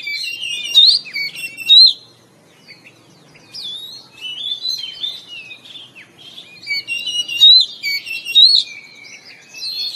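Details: Oriental magpie-robin in morning song, delivering bursts of rich, varied whistles and buzzy trills separated by brief pauses, with sharp, piercing upslurred notes standing out in each phrase.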